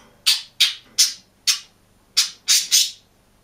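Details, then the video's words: Budgerigar alone in its cage, chirping: seven sharp, loud, slightly raspy high chirps at irregular spacing of roughly a third to half a second, the last two nearly joined. "МИЛЫЙ И ЗАБАВНЫЙ ПОПУГАЙ ПОЕТ И ЧИРИКАЕТ/ОДИН В КЛЕТКЕ"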